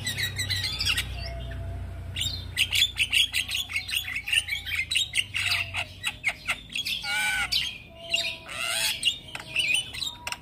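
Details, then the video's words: Long stretch of young Javan myna song, loud squawking and scratchy chatter interspersed with whistled notes, rising to a busy dense passage midway. "Jalak Kebo Super Gacor Rajin Ngoceh Seharian - Masteran Jalak Kebo Muda"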